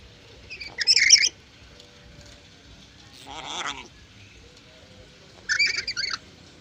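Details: Black-capped lory kept by a breeder in Indonesia, said to talk many words: three loud, harsh, noisy bursts, each about half a second long, separated by quiet pauses, with a fainter rasping sound between them.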